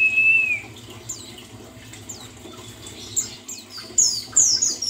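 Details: Therapy sound of a buxtoni white-eye to make a bird sing again: opens with a level whistle, faint high twitters, then a loud burst of bright, very high chirps.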